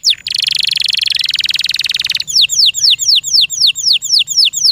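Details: Caged canary song opening with a long rapid buzzy rattle, then shifting to a slower series of sharply falling whistled notes repeated about four times a second.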